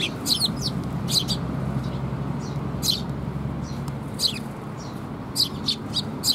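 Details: On 6 May 2021, Eurasian tree sparrow fledglings receive food from their parents, giving loud high chirps in quick pairs and triplets, pauses between, with a low background hum.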